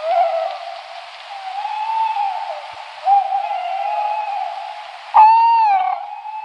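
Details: A tawny owl gives long, drawn-out, tonal hoots with a slight waver. A sharper, louder hoot breaks in near the end.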